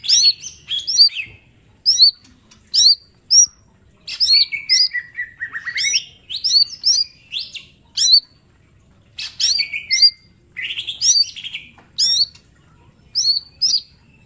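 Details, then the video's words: Caged green leafbird, small form, singing a long master song for training: repeated bright looping whistles in short bursts every second or so, mixed with a drawn-out lower warbled run and rasping notes. "Cucak ijo mini gacor full tembakan bongkar materi"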